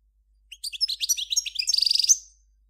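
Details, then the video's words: Rapid tinkling notes from a Major European goldfinch, recorded in 2014, run straight into a dense, rattling buzzy trill that ends with a rising flick. "صوت الحسون الأصلي - Stieglitz Major Beste Gesang - Le roi du chardonneret"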